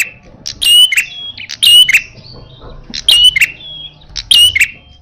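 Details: A red-headed prinia gives a fierce, fighting-style song of harsh, buzzy bursts mixed with sharp high chips, in clusters roughly every one to one and a half seconds; faint background hum.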